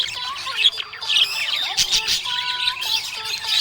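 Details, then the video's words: Happy budgerigar chirping: dense, rapid high chatter with squawky notes and fast up-and-down twitters, over steady lower tonal notes that sound like background music. "Happy budgie chirping sound"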